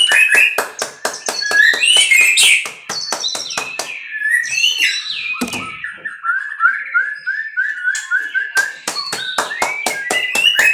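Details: Captive-bred white-rumped shama song, busy and varied: fast dry clicks and ticks about three per second mixed with warbled whistles, trills and a run of short, even whistled notes near the end.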